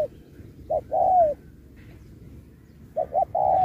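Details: Spotted dove in a singing contest, performing a 'Thúc kèm Bo' style song: a short clipped note, then a longer smooth coo that bends downward. After a pause a pair of quick notes leads into another drawn-out coo.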